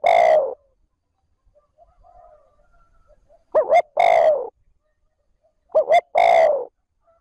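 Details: Lure call of a captive spotted dove in 'trơn ròng' style, used to draw wild doves: the tail of a long coo, a quiet gap, then two complete phrases of double short notes plus an extended falling coo.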